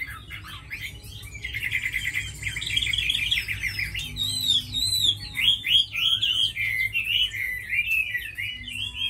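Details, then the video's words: Tame fighting Chinese hwamei singing strongly: a busy stream of clear whistles, fast trills and slurred rising and falling notes, changing phrase after phrase with few pauses. "Mi thuần đấu tốt hót hay"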